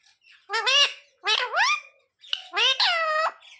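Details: Talking parrot voicing phrases like sita-ram and jai shree ram; three groups of nasal, harmonic syllables with swooping rising and falling tones, about a second apart.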